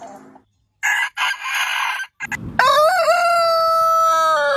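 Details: Rooster of a heritage breed gives short, scratchy bursts, then launches into a clear crow with a quick rising wobble that levels into a long held, steady note.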